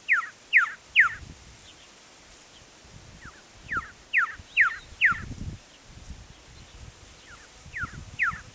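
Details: Male red-lored whistler singing in the Cobar area, Central West NSW, 18 December 2016: clear, sharply falling whistled notes in quick runs of three or four, with soft low wind thumps behind.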